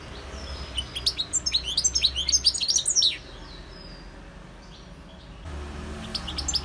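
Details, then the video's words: European goldfinch in song: a fast, accelerating series of bright chirps and twittering trills lasting about two seconds, then silence and a few soft notes returning. "GOLDFINCH SINGING 1H Chant Chardonneret اسمع واستمتع صوت الحسون البري Jilguero Campero"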